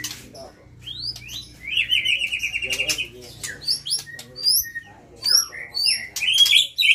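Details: White-rumped shama, a fighting-quality bird at a breeding farm, set out in the sun at midday, singing a rich, varied run of bright whistles, quick trills and rising notes, phrases tumbling over one another; White-rumped shama.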